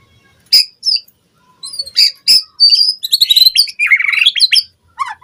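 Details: White-rumped shama lure song for training caged birds. Sparse high ticks and clicks build into a dense, fast jumble of squeaky notes and downslurred whistles, with brief silent gaps.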